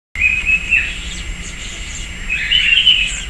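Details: Sayaca tanager visiting a persimmon tree in a residential backyard in Piracicaba, São Paulo state, Brazil: two thin, squeaky high notes, one near the start and one near the end, with faint higher twitters between and a low background hum.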